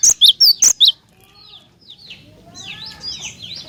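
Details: Cinereous tit song played to make other tits answer; five bright, very high notes ring out quickly in the first second, followed by quieter scattered chirps and twitters.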